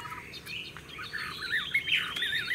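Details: Tame caged Chinese hwamei, said to show a true singing standard, in a warbling song style named after laughingthrush tail-flicking: high, fluid whistled phrases that slur up and down in a continuous, varied stream.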